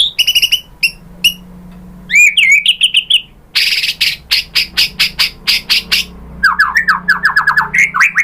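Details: White-rumped shama song used to prompt other shamas to answer: sharp high chips, a rising whistled phrase, a run of hard clicking notes, then a rapid series of descending slurred whistles.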